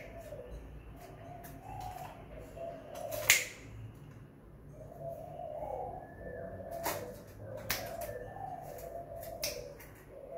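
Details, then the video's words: Spotted dove at home, soft low coos in short phrases with a loud sharp knock near the start and several clicks later. "PIKAT 2 KUK/ GUK GANTUNG tekukur/derkuku GACOR DI RUMAH"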